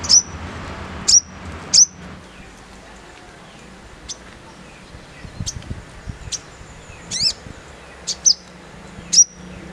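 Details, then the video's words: Crested jay, called sogon, in a rough 'nembak kasar' song used for training caged birds: sharp, very high, clipped chips spaced irregularly, about nine in ten seconds, over a faint low background hum. "SOGON NEMBAK KASAR"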